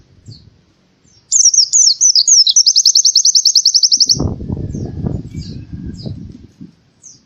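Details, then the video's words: Indonesian white-eye song in canary-like bursts, used to prompt birds that are reluctant to sing: high warbled twittering, then a fast, even trill of about twenty rapid repeated notes lasting nearly three seconds, followed by low rumbling noise. "PLECI TEMBAKAN KENARI‼cocok buat pancingan burung yang lagi malas bunyi"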